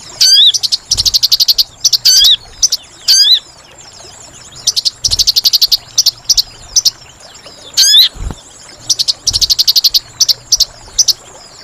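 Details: Lure call of the sooty-headed bulbul used to trap birds: repeated bursts of rapid, buzzy, trilled chatter mixed with sharp curved whistles, forming a busy, insistent sequence.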